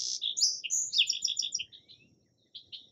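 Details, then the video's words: Song sparrow song: sharp introductory notes leading into a rapid varied trill of repeated bright notes, fading into two softer closing notes. "Song Sparrow Calls and Songs"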